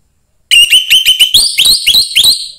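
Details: Young forest-caught orange-headed thrush singing to stimulate other thrushes: a loud burst of rapid, slurred whistled notes, each note sliding upward, repeated about five times a second and climbing in pitch toward the end.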